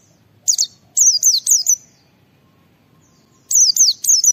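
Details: Ngalas song of a white-eye, meant to stimulate other white-eyes into song: stuttering series of high, thin, descending whistles, four in a row, then a pause and three more.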